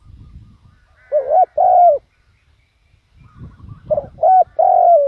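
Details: A spotted dove used as a decoy coos to attract wild doves. Two phrases of two or three hollow coo notes are separated by a pause, with soft low rumbling in the background.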